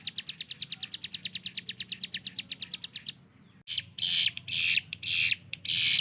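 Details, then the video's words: Hill prinia tutor bird gives a fast string of high staccato notes for three seconds, then falls silent before a set of harsher, broader buzzy bursts repeated about once a second. "CIBLEK GUNUNG || Melatih Speed dan Tembak Burung Gacoan"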